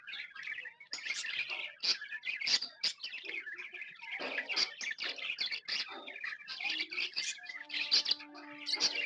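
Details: Happy budgerigars kept as pets chatter nonstop, with quick high twitters, squeaky warbles and brief buzzy notes tumbling over each other, plus a short steady whistled tone near the end.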